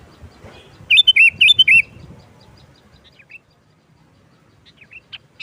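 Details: Sooty-headed bulbul singing 'nggaruda' style as a lure for trapping bulbuls; a loud burst of five bubbly whistled notes early, followed by quiet scattered chirps.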